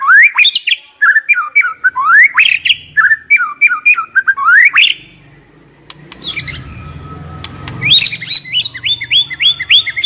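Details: Decoy white-rumped shama delivering fast, loud song: sharply rising whistled notes and chattery phrases repeated in quick bursts, a brief lull with low rumbling background, then a renewed series of rapid rising whistles.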